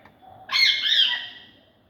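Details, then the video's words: Caged macaw climbing on netting gives one loud, harsh, rasping squawk lasting about a second, with a thin steady whistle from another bird in the background. "Noise of Birds|Macaw Climbing on Net"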